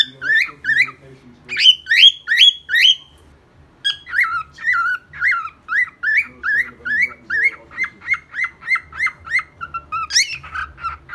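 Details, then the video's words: Pet cockatiel singing a fast string of whistled, warbling notes, loud squawky phrases at first, then a steady series of rising chirps repeated roughly two or three per second. "Calopsita cantando ! cockatiel singing, beautiful bird! オカメインコの歌"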